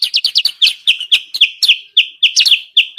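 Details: Sooty-headed bulbul lure call for wild birds: a fast flurry of high chirps that settles into evenly spaced, sharp slurred notes, bright and repetitive.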